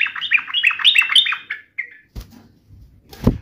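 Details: Yellow-vented bulbul singing to taunt a rival: a quick run of bubbly, rolling notes for about a second and a half, a short whistle, then knocking and rustling noises.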